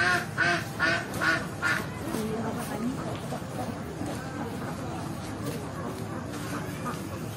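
A flock of ducks quacking: four loud, nasal quacks in quick succession open the clip, then a steady low chatter of many birds with water noise beneath.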